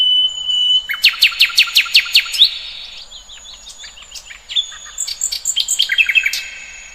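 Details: Birdsong outdoors: a high whistle, then a fast series of about eight loud repeated chirps, followed by softer varied twitters and a second quick run of bright notes.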